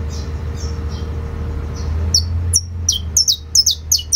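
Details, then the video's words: Saffron finch singing in the canto fibra style: two faint thin whistles early on, then from about two seconds a quickening run of sharp, high, downslurred chirps, some doubled, over a steady low hum. "CANÁRIO DA TERRA CANTO FIBRA"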